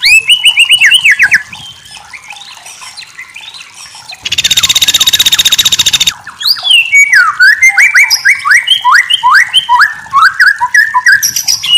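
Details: White-rumped shama song used as tutor material: repeated steep rising whistled notes, quieter chatter, a loud harsh buzzy rattle for about two seconds, then a fast series of sweeping whistles rising and falling.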